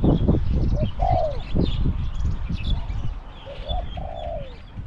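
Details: Spotted dove decoy bird competing with wild doves, its voice small to medium. Two phrases of short coos, each ending in a longer downward-sliding coo. Loud low thumps and knocking sounds are mixed in, and faint chirps come from other birds.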